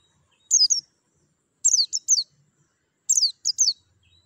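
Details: White-eye, used to encourage kept birds to sing: groups of two to three high, falling chirp notes, repeated about every one and a half seconds, over a faint low hum.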